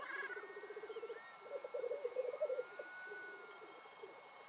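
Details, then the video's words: Black grouse lekking on a morning in the Cairngorms National Park, displaying and fighting: a low, rapid bubbling coo whose pulses run together into a continuous rolling murmur, with faint thin whistles above. "Black Grouse Lekking"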